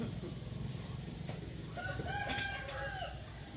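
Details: Rooster heard in the morning, its crow rising as a drawn-out harmonic call midway through, partly masked by heavy low-frequency rumble and background noise.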